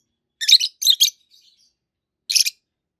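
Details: Two green adult peach-faced lovebirds, one red-faced, one white-faced, calling in quick harsh screechy bursts: three rasping shrieks close together, a soft twitter, then a final shrill screech.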